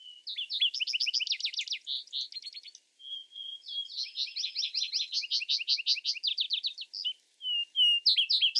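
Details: Vesper sparrow in sustained song: long stretches of rapid, repeated down-slurred notes broken by steady held whistles, with pattern shifts and a final trill near the end.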